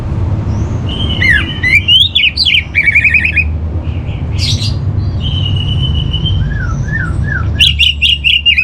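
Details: Orange-headed thrush song played to train kept birds and steady their mood: fast mixed chatter of slurred whistles and harsh notes, then a long thin whistle and downslurred calls, closing with a rapid repeated burst; low hum behind.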